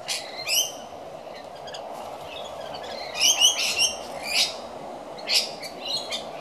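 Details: Rainbow lorikeets at a messy feed: scattered sharp squawks and shrill chatter in short bursts, loudest around the middle, with a constant low rumble underneath.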